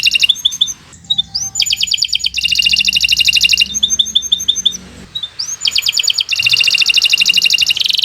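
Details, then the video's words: Canary singing a long, fast song meant for tutoring other birds: high rapid trills alternate with rising slurred notes and dense buzzy rolls, phrases changing every second or two. "Kicau Burung Kenari 135 II LUAR BIASA GACOR PANJANG Cocok untuk Masteran"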